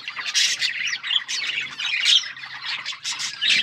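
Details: Several budgies chirping while eating seeds: a continuous, busy chatter of high, scratchy squawks and twittering notes overlapping without pause, rising and falling in loudness throughout.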